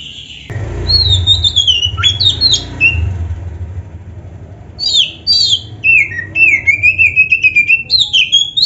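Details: Singing black-breasted Oriental magpie-robin, its champion-style varied song meant to provoke other magpie-robins into answering. A few swooping whistles over a low rumbling hum give way to a quick chattering string of bright, warbled notes.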